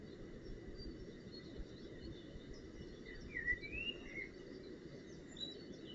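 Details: Young northern goshawk in its nest at mealtime, recorded 25 June 2018: a short run of thin, bending whistles past the halfway mark, set against a soft background hiss and scattered distant bird chirps.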